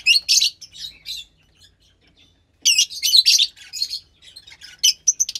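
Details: Fischer's lovebird chick, roughly 15 days old, captive-bred from lutino and pastel blue parents, uttering loud harsh high chirps in clustered bursts separated by a short quiet gap, then repeated chattering squawks.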